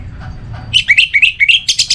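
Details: Orange-headed thrush singing a loud phrase of clear whistled notes, short slurred whistles near the same pitch repeated about five times per second, rising into brighter high notes at the end, after a quiet start with low background hum.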